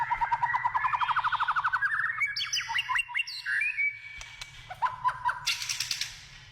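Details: Singing in the wild, a white-rumped shama gives a rapid rising rattle of repeated notes, then quick chipping phrases, a whistle and a harsh buzzy burst.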